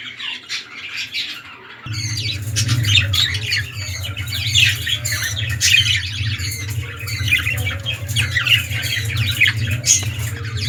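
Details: Indoors, a breeding pair of red-eyed lutino budgerigars, a king-size male and an undersize female, chatter with busy scratchy squawks and chirps. A steady low mechanical hum runs underneath.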